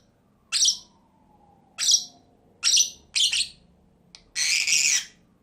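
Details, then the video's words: Two pet lovebirds calling with loud, shrill screechy notes spaced about a second apart, ending in a longer harsh double squawk; room otherwise quiet. "CİCİKUŞ SESİ----Cennet Papağanı"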